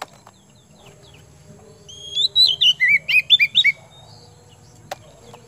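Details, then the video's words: Kemben-type oriental magpie-robin, hot-tempered and singing constantly, delivers a quick burst of about eight looping whistled notes that drop in pitch, then falls silent apart from one sharp click and a steady low hum. "KACER KEMBEN TIPE PANAS GACOR"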